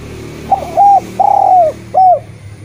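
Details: A Eurasian collared dove coos for luring quiet spotted doves into song: one three-syllable phrase, brief, drawn-out, brief, over a noticeably noisy low background.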